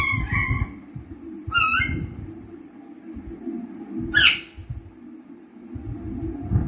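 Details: Baby pet parrot indoors, learning to talk: three short harmonic squawking calls, the first two rising and falling, the third a sharp burst, spaced over several seconds, over low room rumble.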